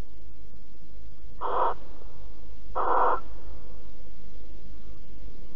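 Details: Barn owls cuddling in Alphen on 5 September 2019 at 09:46: two harsh, hissing screech bursts about a second apart, each lasting roughly a third of a second, over steady low background rumble.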